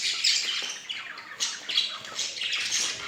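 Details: Budgerigar couple giving rapid, harsh high squawks and twittering notes in a steady, unbroken run.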